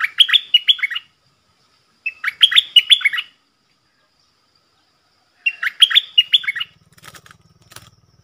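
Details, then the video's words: Three chattering, bubbly song phrases from a cream-vented bulbul singing the 'double' style, 18 June 2021, each of rapid rising and falling notes, followed by soft rustling or fluttering sounds near the end. "Merbah lekir gacor"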